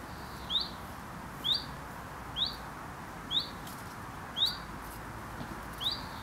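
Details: Alarm calls from a breeding chiffchaff at its garden nest in the UK: six brief rising "who it?" notes spaced about a second apart, fairly soft against steady low noise.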